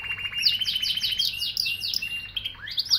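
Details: Singing canary delivering a quick run of repeated high chirped notes that slide downward, then a rapid rising flourish, bright and continuous over a faint background hum.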